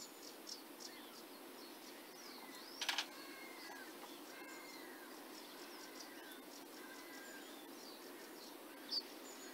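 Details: Sedge warbler singing at Burton Mere Wetlands, 8 June 2014, recorded through a scope from a hide: a fast, scratchy chatter of varied short notes and high slurred phrases, continuous over steady background hiss, with a couple of sharp knocks.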